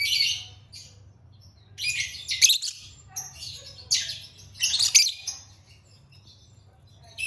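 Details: Lovebird song of raspy, piercing chirp clusters coming in uneven groups about every couple of seconds, separated by quiet pauses, over a low electrical hum.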